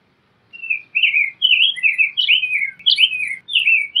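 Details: Male-style rich warbling of a rose-breasted grosbeak: a steady chain of slurred whistles, some swooping up, others down, running for about three and a half seconds without a break.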